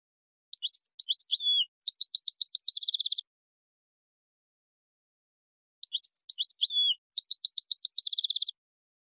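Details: European goldfinch song from a recording for tutoring young birds: two short bursts of high, sweet twittering notes ending in a fast, even trill, separated by about three seconds of silence; no other sounds.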